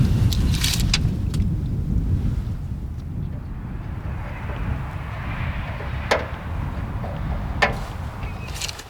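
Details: Steady low machinery rumble with a few sharp knocks and clicks, and no animal sounds.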